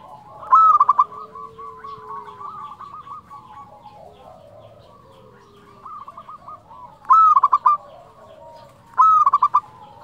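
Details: Local zebra dove, a caged bird kept to coax quiet doves into singing, gives a loud flute-like cooing phrase with a quick burst of notes; further phrases follow near seven and nine seconds, with softer cooing from other doves in between.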